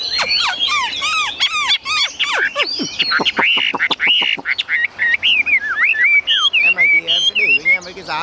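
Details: A tame Chinese hwamei in a cage sings a rich, rapid song. Quick high trills and downward-sweeping whistles give way to separate looping, warbled phrases, with short gaps between them.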